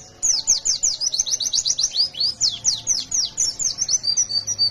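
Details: Pleci, a fighter white-eye in full 'gacor ngalas nembak' song: a continuous rush of shrill, quick downslurred notes about five per second, loud and unbroken, with a faint low hum beneath.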